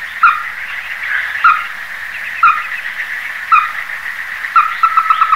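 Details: Evenly spaced sharp single calls of a Ruddy-breasted crake, about one per second, breaking at the end into a quick run of clipped notes, with a droning insect or frog chorus behind.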